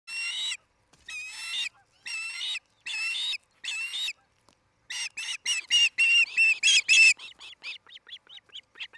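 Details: Osprey pair at their nest on a nest camera in Charlo, Montana, 8 July 2018, late afternoon: harsh, banded half-second notes in bursts, then a rapid run of sharp high chirps that swells and fades to soft peeps.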